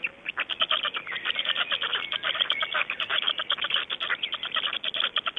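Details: Black storks clatter at 05:15 on 26 May 2012 in Estonia: evenly repeated dry pulses come several per second, joined by faint gliding whistles.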